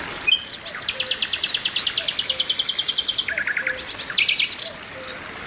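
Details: Female Oriental white-eye calling to arouse males: a long buzzy high trill with chirps woven through, followed by short rattles and scattered high slurs.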